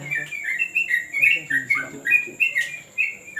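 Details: Yellow-vented bulbul at terrace training gives lively warbled phrases, each note bending up and down, delivered in a steady bouncing flow, with faint low murmurs and a constant high whine underneath.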